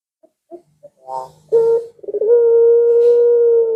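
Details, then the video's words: Barbary dove calling, a recording played to lure pet doves at home into calling back; a few soft short notes, then a quick rolling burst leading into one long, steady, level hooting tone held for more than a second. "Suara Burung Puter Ini Memikat Puter Anda Dirumah Sehingga Ikut Bunyi"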